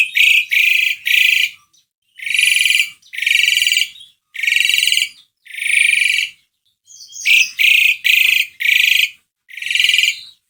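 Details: ['Asian pied starling song, played to lure a reluctant bird into singing: loud, harsh rasping bursts, each about half a second long, in quick pairs and triplets with short pauses. About a dozen bursts are heard.']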